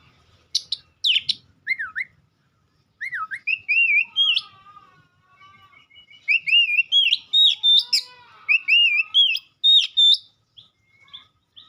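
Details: Extended White-rumped shama song: sharp high notes, then deeper swooping whistles and smooth undulating phrases, with pauses between bursts and a quiet low rumble at the start.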